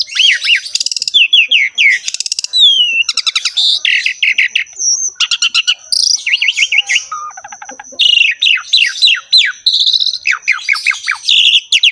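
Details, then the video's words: Long, dense bout of Asian pied starling song with a lavish repertoire: rapid descending chirp series, crackling bursts, short whistles and chattering phrases, almost without pause, over a faint steady high tone. "KICAUAN BURUNG JALAK SUREN GACOR FULL ISIAN MEWAH"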